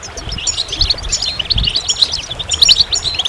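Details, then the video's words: Short burst of goldfinch song: sharp, high, tinkling chirps and quick trills repeated in rapid succession, with a few low knocks in the background. "Magical Goldfinch Songs"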